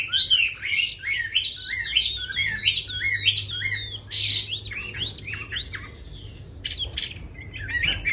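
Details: Chinese hwamei singing fast, tumbling whistled phrases with a sudden harsh rasping note midway, then sparser whistles and clicks.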